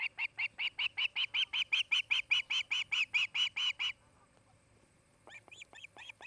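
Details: From a nest camera in Charlo, Montana, 8 August 2018: an osprey delivers about four seconds of loud, regular, high whistled chirps, then falls silent before a few softer, upslurred piping notes at the close.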